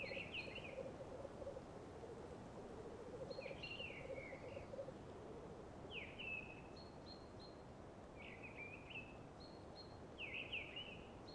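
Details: Black grouse at a lek in Tiveden, Sweden, on a chilly, frosty morning: a steady low bubbling coo runs underneath, broken every couple of seconds by sharp, wheezy hissing calls.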